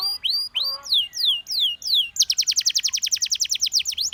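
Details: Gloster canary singing to get companions singing: several slow, rising-then-falling whistled slurs give way to a fast, even roll of bright repeated chirps.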